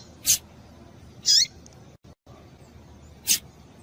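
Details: Calling female double-collared seedeater meant to excite the male: three short, high, piercing notes, the middle one with a quick downward slur, separated by a second or two, plus a brief dropout of background hiss.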